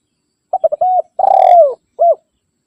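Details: Spotted dove giving its rival-calling coo, used to draw in wild doves. One phrase: three clipped coos and a level coo, then a long throaty roll falling in pitch, ending with a single short coo. No other sounds.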